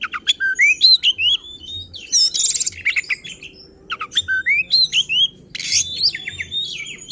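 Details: Oriental magpie-robin, called kacer, singing angrily to provoke others of its kind: rising whistled slurs, loud noisy rasps and clipped chips in two vigorous bouts.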